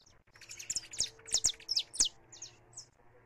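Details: Live recording of a saffron finch singing in freedom: one quick phrase of bright, high chirps that tumble rapidly, then a couple of trailing notes fading out.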